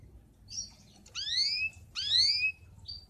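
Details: Fired-up male canary singing as a lesson for young canaries and to excite hens, giving two loud upward-sweeping whistled notes framed by softer brief chirps, over a quiet low background hum.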